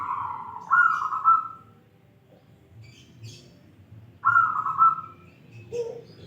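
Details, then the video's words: A crystal-voiced local zebra dove repeats its song twice, each a rippling, bright coo ending with a short lower note, spaced about three and a half seconds apart, with faint chirps from other birds. "Perkutut lokal alam suara kristal"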